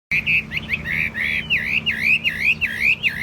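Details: Tame, calm captive Chinese hwamei, described as a good singer that neither lunges nor jumps. It sings a run of clear, looping whistled phrases, each dipping and rising again, with a low steady hum underneath.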